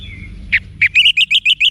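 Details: Orange-headed thrush song for training cage birds, Bali, Indonesia: two short notes, then a rapid even series of six bright whistled syllables, each slightly rising.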